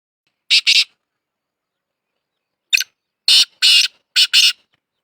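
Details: Black francolin calling, with harsh, rasping broadband notes: a quick doublet, then after a pause a grating phrase of about five scratchy notes in uneven rhythm, with silence between phrases and no other sounds.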